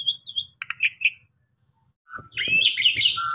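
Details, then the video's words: Asian pied starling lure song for stressed or sulking caged birds: a few short whistled and buzzy chirps, about a second of silence, then a loud, dense, harsh outburst of mixed notes. "Pancingan Paling Cepat !! Jalak Suren Pundung Langsung Nyaut Gacor"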